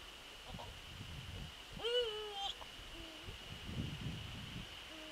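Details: Eurasian eagle-owl visiting its nest on the evening of 27 December 2013 around 18:25, calling repeatedly: a drawn-out, falling note with rich overtones, then quieter shorter notes, over a constant high electronic whine.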